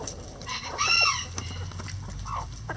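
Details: Chickens in a coop: a short burst of harmonic, slightly descending squawks near the middle, then a softer rising cluck toward the end, over a low steady background hum.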